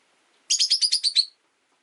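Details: One of five caged rosy-faced lovebirds by a window on a rainy day, jostling for perch position, gives a quick burst of seven shrill, buzzy, evenly spaced chirps in under a second.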